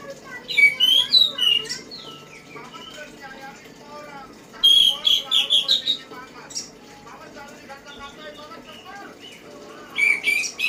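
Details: Orange-headed thrush singing loud, varied whistled phrases in three bursts, with rapid rising and falling notes and quieter twittering between them.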